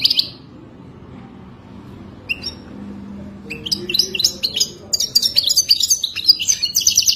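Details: Moroccan goldfinch singing: a brief high twitter, a pause, then from midway a fast run of high, thin, tinkling and jangling notes, many short twitters packed closely together, with a faint low hum beneath.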